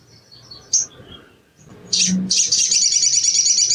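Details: Sogon, an Indonesian songbird, recorded as training therapy to prompt quick singing: scattered thin high notes, then a loud, sustained, very rapid chattering trill that runs to the end.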